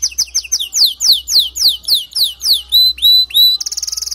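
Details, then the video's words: Male canary song meant to make a female build her nest quickly: a series of loud downward-sweeping whistles about four per second, then a few level whistles and a fast buzzy trill at the end. "أقوى تغريد ذكر كناري لجعل انثى الكناري تلف العش بسرعه"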